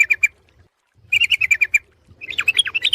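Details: Sooty-headed bulbul lure calls: three quick chips, a pause, a rapid run of bright notes, then a livelier sequence of varied, rising and falling chattering notes, with a faint low hum underneath.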